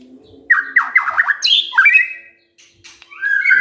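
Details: Brief burst of white-rumped shama song used as a morning lure for other shamas: a quick run of falling whistled notes, a sharp high slur, then a drawn-out clear whistle over a low hum.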